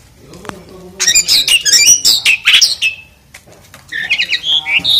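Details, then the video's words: Asian pied starling singing loudly while being bathed, a fast, uneven chatter of squawky, scratchy notes followed by a pause and then a run of shorter warbled chirps, with splashing-like clicks. "KICAUANNYA KERAS SAMBIL MANDI || JALAK SUREN"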